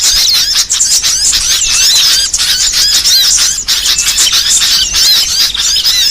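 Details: Training recording of varied small songbirds: an unbroken wash of very high, squeaky twittering and fast zigzag whistles, thick and layered throughout.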